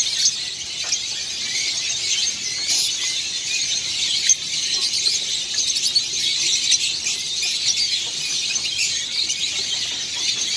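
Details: Masked lovebirds at the BVA Masters 2023 lovebird exhibition keep up a dense, shrill, high-pitched chatter of overlapping squeaks and chirps, a steady wash of many birds calling together in an indoor hall.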